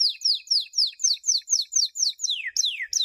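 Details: Canary training song from 2016, a champion recording for chicks: clear downward-sliding whistles repeated about three times a second, the last few notes drawn out and sweeping lower.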